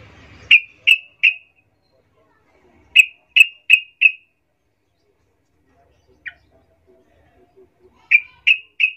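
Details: Calling sooty-headed bulbul, used as a lure so other bulbuls answer: sharp bright chirps in quick groups of three or four, repeated with pauses of a few seconds, one lone chirp in between.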